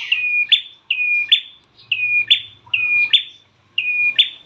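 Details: Prinia (prenjak klawu) calls used as a lure to get caged birds singing: five loud phrases, each a flat high whistled tone ending in a sharp buzzy burst, repeated roughly every second, with a faint low hum beneath.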